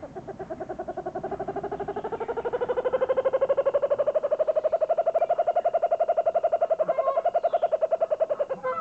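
A kookaburra gives a rapid rolling chuckle of harsh pulsed notes that rises in pitch and then holds steady for about eight seconds.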